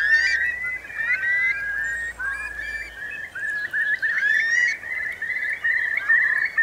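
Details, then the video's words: Eurasian curlews, part of some 3,000 sheltering in Marquenterre wet meadows at high tide, Bay of Somme, France, 7 October 2021; a dense chorus of rising whistles and rolling bubbling calls with no pause. "Courlis cendré / Numenius arquata / Eurasian Curlew"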